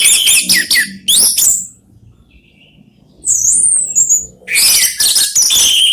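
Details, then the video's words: Orange-headed thrush, one of three caged birds singing back and forth as a lure; rich, loud jumbled whistles and scratchy notes, a long quiet gap, then a thin high slurred whistle and another dense burst. "3 ANIS MERAH BERSAHUTAN"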